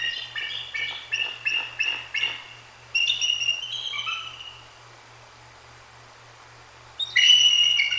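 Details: A pair of Bald Eagles, a female and her mate at their nest, call after a Great Horned Owl strikes the sleeping female on her perch at night, 2 January 2024. Bursts of high, thin, whistled chittering notes come in quick series, then silence, then a fresh loud burst.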